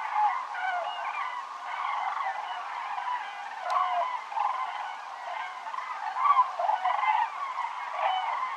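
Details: A flock of cranes migrating south over Navarra, Pyrenees, on 1 November 2017, circling directly overhead. Many birds call at once, giving a busy mix of rattling, bugling notes that swell and fade, with one brief click near the middle.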